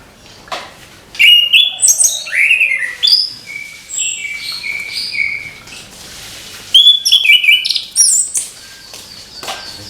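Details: Orange-headed thrush singing in the morning: a babbling run of high whistled slurs and sharp chips, rising and falling notes in two dense bursts separated by a quieter pause.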